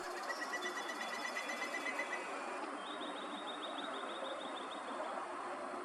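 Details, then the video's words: A Pileated Woodpecker in the background on a hike in Edmonton's Whitemud Valley gives a quick run of evenly spaced, ringing notes for about two seconds, then a higher run, over a steady rushing hiss. "You can hear a Pileated Woodpecker in the background."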